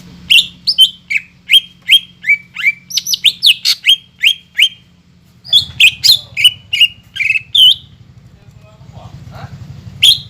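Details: Greater green leafbird song as a lure to set off a silent caged bird: a fast string of clear falling whistles, a short pause, more rapid notes, then quieter background rumble.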